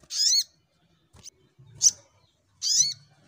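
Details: Brown-throated sunbird singing in fighting mode, shooting style: two harsh, squeaky rising notes separated by a brief sharp chip, with faint low rumbling behind.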